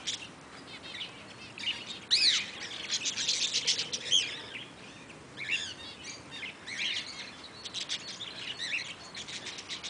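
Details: Eastern rosellas at Velserbeek give busy, high chattering calls with a few sharp, rising whistles, overlapping steadily across the clip against faint outdoor hiss.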